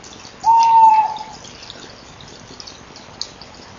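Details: Tawny owl calling at 19:29 on 24 November 2012, captured by a nest-box camera: a single clear, mid-pitched hoot lasting about a second, steady then slightly falling, followed by quiet background hiss.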